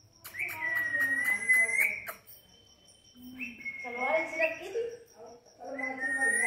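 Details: Talking pet parrot in a home, speaking with its owner; two voice-like harmonic bursts carrying a bright whistled tone near the top, then a third phrase starting at the end, over a steady high-pitched electrical hum.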